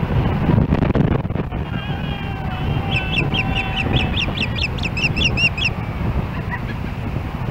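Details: Nest-camera recording from Hellgate Canyon, Missoula, Montana, July 4, 2016. An osprey calls as another osprey nears its nest, giving a quick run of about twelve piercing, slightly rising chirps in a row. A faint thin tone comes earlier, over a constant low rumble.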